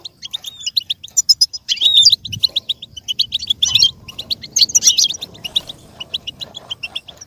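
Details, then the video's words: Goldfinch singing, offered to help goldfinches learn and imitate: busy run of sharp, high chirps and liquid twitters, swelling into louder tangled bursts around two and five seconds, with soft background murmur. "With stimulation for the goldfinch to learn and imitate sounds"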